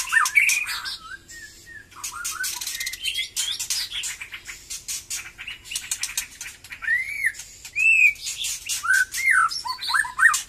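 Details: White-rumped shama of the Batu Kurau strain, newly lively after its moult, delivering an energetic song. Rich arched whistles and rising slurs alternate with rapid scratchy rattles and buzzy notes in busy, uneven phrases, some loud and ringing.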